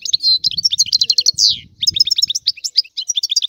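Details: European goldfinch song of fast, high twittering notes and short trills, with a faint low rumble in the background.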